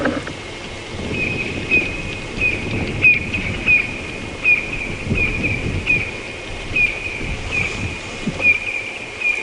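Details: A male and female Black-collared Barbet duet at a waterhole during a morning safari at Djuma Game Reserve, June 2015, a brisk even run of bright ringing notes, two or so a second, sounding like one bird; low rumbling behind.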